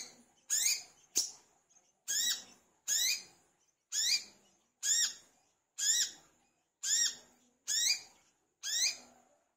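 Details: Olive-backed sunbird, the kolibri kelapa or wiceh, singing vigorously as a lure. A long steady series of high, downward-sweeping, harmonic-rich notes, some in close pairs, about one a second.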